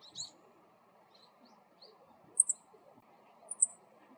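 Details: A male Meadow Bunting (Emberiza cioides) gives its ground call, short high sharp "chi-chit" notes in quick pairs about a second apart over a faint low hum; it is like a Black-faced Bunting's but slightly higher.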